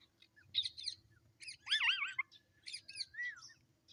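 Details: Pet talking parrot giving short, high chirping bursts and a couple of wavering whistled notes, spaced by brief pauses, with a soft low hum beneath.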